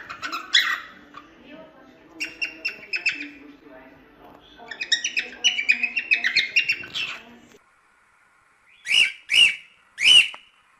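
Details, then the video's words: Cockatiels singing a lot: several minutes' worth of busy chattering warbles with short squeaky notes in bursts, a faint low hum beneath, then three loud harsh rising calls at the end. "Calopsitas Cantando Muito"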